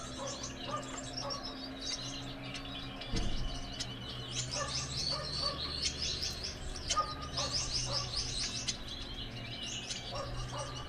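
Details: Gouldian finch song from a pair: dense runs of fine, high chittering notes rising and falling, with repeated mid-pitched peeps and a brief low thump.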